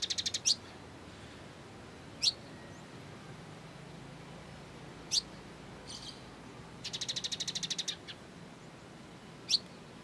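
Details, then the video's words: Sunbird (kolibri ninja) in 'full gereja tarung' style, used as song-training material: sharp high chirps spaced a few seconds apart, plus one fast buzzy rattle of about a dozen rapid notes near the end, over a low steady hum. "MASTERAN BURUNG KOLIBRI NINJA MEWAH ‼️ full gereja tarung"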